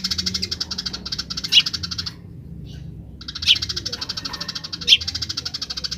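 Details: Eurasian tree sparrow, wild, in rapid grece chattering: dense runs of sharp repeated chirps broken by a two-second gap, with occasional louder single chips standing out.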